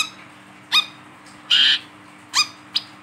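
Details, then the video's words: Wiceh bird singing actively while held in the hand, its voice used as a lure for wild wiceh: short high harsh chirps at irregular intervals, one longer buzzy burst in the middle, over a faint steady low hum. "WICEH GACOR DI PEGANG BUNYI, SUARANYA BISA UNTUK PANCINGAN WICEH BAHAN"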